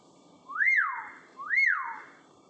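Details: Common hill myna learning to talk, giving two loud, pure whistles about a second apart, each sweeping quickly up and then trailing off in a long fading tail.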